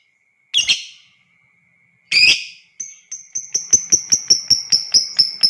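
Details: Lovebird ngekek, a long chattering song used to provoke other lovebirds. Two harsh screeches lead into a fast run of sharp, high ticking notes that speeds up to about four per second and keeps going.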